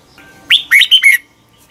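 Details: Morning training song of a red-whiskered bulbul, sung as a lure bird. A single short phrase: an upslurred opening whistle followed by three rapid, chirpy, descending notes.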